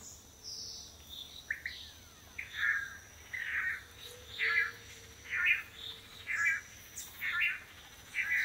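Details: Several pairs of male Long-tailed Manakins take turns in courtship display on a lek perch in Costa Rica while green females choose mates; buzzy notes repeat about once a second, with thin higher notes and a steady background hiss.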